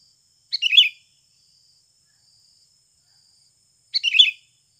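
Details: Sooty-headed bulbul, natural recording used as a lure to prompt captive birds to sing: two short bubbly, chattering phrases, each under half a second, about three and a half seconds apart, with silence between.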